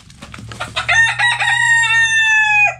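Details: A rooster in a backyard coop crows: a few stuttering opening notes, then one long, loud, steady, slightly falling cry lasting nearly two seconds.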